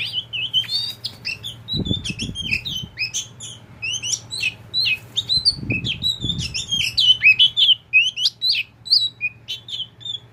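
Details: Tame pet oriental magpie-robin (kacer poci) in continuous lively song, a dense run of sharp chips, warbles and clear upslurred whistles, interrupted twice by low thumping knocks, with a steady background hum throughout.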